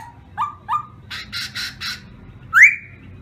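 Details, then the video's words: Black-throated laughingthrush giving short rising whistles, a few harsh rasping notes, then one loud upslurred whistle. "chim khướu mun hót hay"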